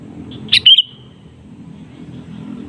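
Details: Sooty-headed bulbul calling to draw out a rival that replies: one short, loud cluster of bright, sharp chirps lasting a fraction of a second, then only a low background rumble.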